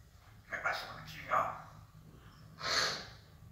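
An African grey parrot talks in three short, breathy, speech-like bursts over about three seconds, with a low hum indoors behind it.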